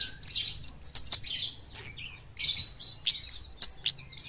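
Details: Kept flowerpecker, known locally as kemade or burung cabai, singing fast and tight in ngeplong style: an irregular stream of thin, very high tweets and quick slurred notes, about two or three each second.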